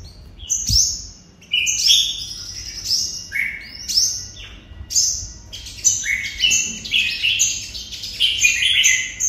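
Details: 'Hút mật' singing by a red-whiskered bulbul from Đồng Nai, Vietnam: rapid bright chirps and rising slurs in busy phrases, growing denser toward the end, with one low knock early on.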